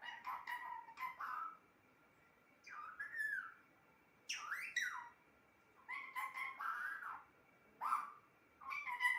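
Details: A talking pet parrot repeats short word-like phrases with swooping, whistled inflections, each burst about a second long, coming every one to two seconds.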